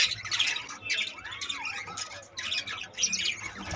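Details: Budgerigar colony update with 25 new chicks; busy high warbling and squawking from several birds at once, plus a lower gliding note in the middle.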